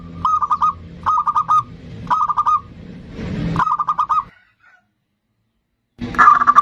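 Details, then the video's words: Zebra dove singing as a lure for other birds: four short bursts of rapid cooing about one second apart, a gap of silence, then a final noisy burst. "Pancingan perkutut bodronoyo gacor super ampuh untuk pancingan"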